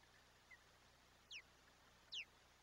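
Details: Osprey at a nest on Chesapeake Bay, filmed by a live nest camera on 22 July 2021 at breakfast time as a large fish is brought for the chick; three faint, short, high whistled chirps slurring downward, widely spaced, over steady background hiss.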